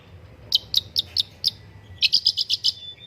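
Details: Long-tailed shrike (pentet or cendet) singing in an Indonesian master recording meant to prompt other birds to sing: evenly spaced sharp high chips, five at first, then a faster run of about six, over a steady low hum.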